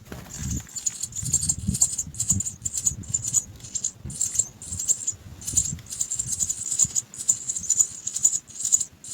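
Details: Three house sparrow chicks in a nest, waiting to be fed, beg with shrill, high chirps repeated about twice a second in uneven bursts, over low rustling and handling noise.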